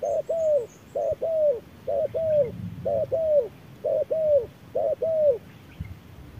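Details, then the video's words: Spotted dove in a midday duel between a decoy bird and a wild bird: six evenly spaced double coos, each a short note then a longer falling one, over a soft low rumble. "MỒI MÁY DẬP ĐẤU BỔI GIỮA TRƯA NẮNG GẮT BỔI HÁ CẢ MỎ"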